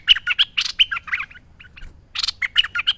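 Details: Spirited merbah lekir bulbul song for training birds: dense chattering of raspy bursts and quick warbled notes, a brief lull, then another tight, loud phrase.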